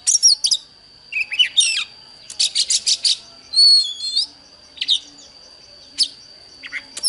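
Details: Oriental magpie-robin answering a wild bird in a singing contest, giving short varied phrases of bright whistles, buzzy trills and quick up-and-down slurs with gaps between, a thin continuous high tone behind.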